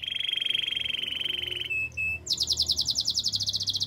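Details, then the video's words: Spanish Timbrado canary song for training: a long, even metallic trill near a steady pitch, two brief clear tones, then a faster, higher rattling roll of rapidly repeated notes. "Canaries spanish timbrado songs for training"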